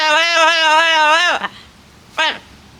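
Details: Amazon parrot, chatty while drying off on a nice day alongside another parrot, gives a long, steady, nasal, voice-like note that drops at the end, then a brief falling squawk about a second later.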